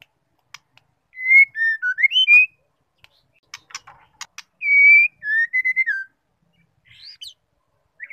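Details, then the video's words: Female white-rumped shama calls used to rouse males: clear, slightly wavering whistled phrases separated by pauses, with short clicks between them. "MURAI DISITU NGAMUK DENGAR SUARA MURAI BETINA INI"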